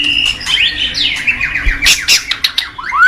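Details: White-rumped shama, a strong singer kept as a master bird for training young shamas, sings a fast jumble of sweeping whistles and harsh rasping notes, with a steady low hum behind.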